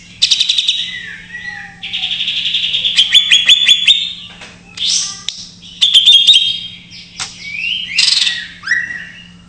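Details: Greater green leafbird isian song in jamtrok-mania style, played to lure raw or stalled birds into singing: sustained high twittering phrases broken by sharp clicks and falling slurred whistles, over a constant low hum.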